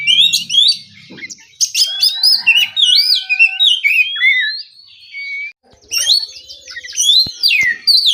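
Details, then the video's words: Oriental magpie-robin, morning, relaxed ngeplong singing: rapid varied whistles, trills and slurred upward sweeps, clear long ascending glides, a short silence, then renewed bursts; faint low rumbling at the start. "Terapi pagi, suara burung kacer ngeplong santai"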